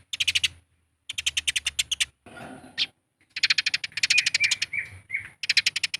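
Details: Eurasian tree sparrow fighting calls used to provoke other birds into calling: rapid bursts of sharp, harsh chirps in rattling series of eight to twelve notes, separated by short pauses, with one scratchy noisy stretch midway.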